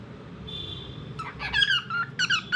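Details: Short burst of bird song indoors: faint steady tone, then several squeaky, down-slurred whistled chirps in quick succession over soft room noise.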